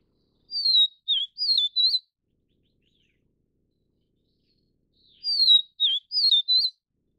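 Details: Vivid Niltava of the Taiwan-endemic subspecies Niltava vivida vivida gives two short phrases of four high, sweet slurred whistles, each phrase about a second and a half, separated by a quiet pause.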